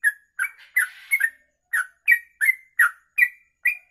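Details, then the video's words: Sooty-headed bulbul giving its long 'kongslet ropelan' song for tutoring birds: a burst of mixed chattery notes, then separate clear slurred whistles, each about half a second apart. "Trucuk Kongslet Ropelan Panjang"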